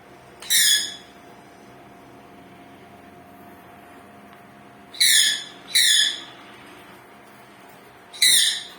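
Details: A pet sun conure gives loud, harsh screeches in short bursts; its owner asks whether it wants food or wants to come down.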